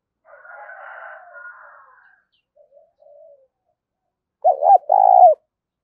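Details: A spotted dove coos in the 'thúc' manner. A softer, hoarse, drawn-out sound is followed by a few faint low notes. A loud, rounded two-part coo closes the clip, deep and resonant.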